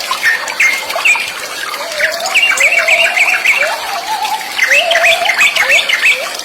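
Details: Sooty-headed bulbul singing in rice fields: short bright whistled phrases repeated over and over, with lower slurred rising notes woven between them, set against a busy background chorus of other chirping birds.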